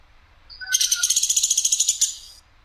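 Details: Woodpecker, known locally as platuk sampit, giving a clear, harsh, sharp call: one dry, buzzy rattle of fast, even pulses lasting about one and a half seconds, preceded by a few faint short notes.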